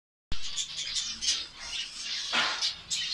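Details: A colony of finches in Saudi Arabia: dense overlapping high chirps and short squeaky notes from many birds. The sound starts abruptly after a brief silence, with a louder burst of chatter near the end.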